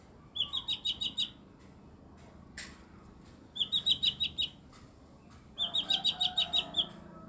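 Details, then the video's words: Three rattling bursts of rapid, high chips, five to eight notes each, from an eight-year-old mini blue-winged leafbird with strange sounds; a short click falls between the first two bursts. "CUCAK IJO MINI BERSUARA ANEH"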